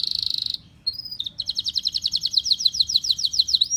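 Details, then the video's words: Canary song meant to teach other canaries: a buzzy trill, brief pause, short whistled notes, then a rhythmic run of rapid paired chips about five per second, ending on a rising whistle. "kicau burung kenari"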